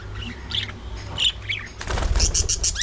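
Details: Budgerigars at early morning feeding time: a few short, bright warbled chirps, then a burst of rapid, scratchy, clicking chatter near the end, over a steady low hum.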